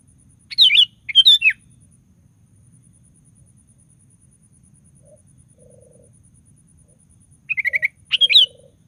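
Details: [2, 'Sooty-headed bulbul singing persistently, used as a lure to draw other bulbuls into song: two quick bubbly whistled phrases, a long pause with faint low humming tones, then two more slurred phrases.']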